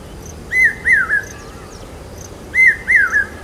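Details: Common hawk-cuckoo (papiha) in Aurangabad, calling loudly in monsoon season, taken as a rain signal. Two piercing three-note phrases about two seconds apart, each note sliding up then down.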